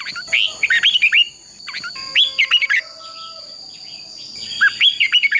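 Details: Red-whiskered bulbul in fighting-song training: three bursts of lively whistled warbles, the first two close together, the last after a two-second pause, over a faint constant high-pitched tone.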